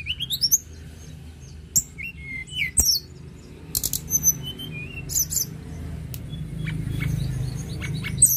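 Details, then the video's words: Sunda robin in lively song, delivering sparse high whistles, upward-sweeping notes and brief buzzy chatters with gaps between phrases, against a constant low background rumble. "TLEDEKAN GUNUNG GACOR"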